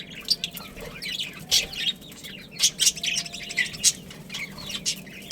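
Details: Two budgerigars, a breeding pair kept at home, trade high sharp chirps and soft scratchy warbles, with a few louder single notes standing out over a low steady hum.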